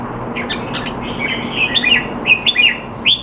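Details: Red-whiskered bulbul kept caged in Singapore, in training and out of form, 25 December 2020: a few soft chattering notes, then a string of clear, bubbly whistled phrases that rise and fall quickly, finishing with a sharp upslurred note.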